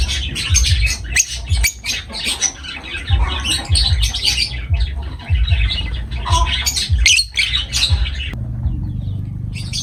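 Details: Lovebird chatter, busy and continuous, with rapid high tweets and harsh squawks overlapping from several birds. It breaks off near the end, leaving only a low hum.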